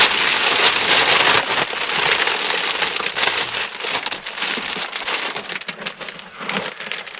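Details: Dense crackling patter like rain striking leaves and ground in woodland, steady and broadband, slowly fading over seven seconds, with no animal voices heard.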